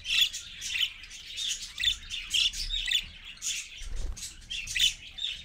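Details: Parakeets, a parent and babies, at 6:20 AM on 4.1.15 on a live camera stream, chatter steadily in rapid, buzzy squawks and chirps with short clear notes mixed in, over a faint low hum.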